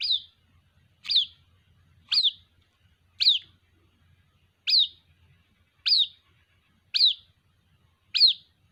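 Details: Eight shrill falling peeps, repeated roughly every second with one longer gap, from a white-breasted waterhen chick calling for its mother.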